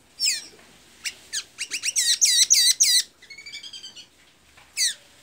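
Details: Singing blue-gray tanager (pipira azul) in Santa Inês, Maranhão: a high squeak, then accelerating notes building into a loud series of squeaky slurred phrases, followed by a softer stuttering trill and a final sharp squeak.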